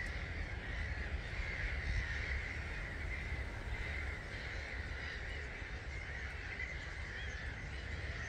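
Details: Dawn roost departure of around 250,000 starlings at Gibraltar Point NNR on 21 March 2022 at 05:45, heard as a constant hissing chorus of countless chattering birds over deep rumbling background.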